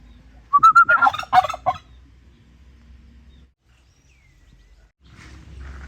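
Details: Turkey gobbling: a brief whistled note leading into a loud rapid rattling gobble lasting about a second, then quiet with faint rustling and low background noise.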